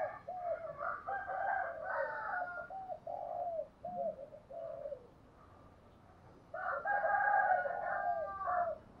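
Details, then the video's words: Spotted dove calling in the morning as a decoy bird to lure others, giving low, mellow cooing phrases of several rounded notes, a quiet gap of about two seconds, then another loud cooing burst; faint background hiss. "tiếng chim cu đất gáy gọi buổi sáng/ tiếng chim cu đất kêu mồi và gọi bổi"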